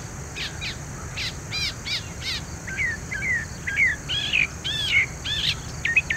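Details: A Northern Mockingbird singing long and loud from high perches gives a varied medley of bright, high chirps, slurs and buzzy notes, each phrase repeated quickly before changing, over a low background hum.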